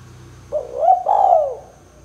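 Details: Spotted dove coo in 'kuk 2' style, used to lure doves for trapping: a single soft rising note followed by a long smooth coo that slides downward, over a low steady hum.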